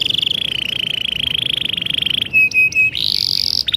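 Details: Canary song, a continuous rapid rattling trill held steady for over two seconds, then short clear whistled notes and a higher buzzy roll, all sung loudly and close.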